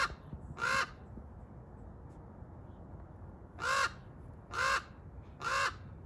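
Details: A common raven in a tree gives four harsh, croaking caws, one early and then three spaced about a second apart, over a steady low background hiss.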